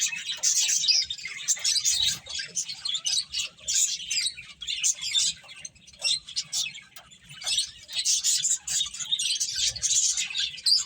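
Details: High, busy chirping from playing finches, overlapping tweets in uneven bursts, quieter around the middle before swelling again.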